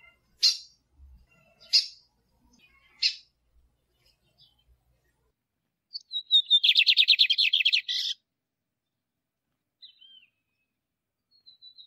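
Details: Three sharp, well-spaced chip notes come first, then a male lined seedeater's song: a brief rising whistle and a rapid buzzy trill. Faint notes follow. The recording is meant to stimulate caged birds.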